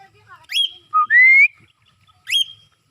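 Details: Cockatiel on its first free flight, giving two sharp upward-swept chirping calls. Between them comes a short note followed by a long, steadily rising whistle.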